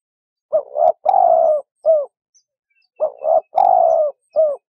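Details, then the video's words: A dove gives low, hollow coos, four notes to a phrase with a longer drawn-out third note; the phrase comes twice, about two and a half seconds apart. "លលកយំ | Dove Sound"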